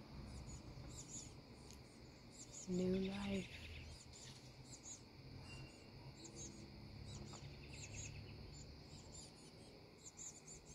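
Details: Black-capped Chickadee nestlings in a nest box give thin, very high, rapid begging chips as parents bring food, over a low steady rumble, with a brief low human voice near the third second.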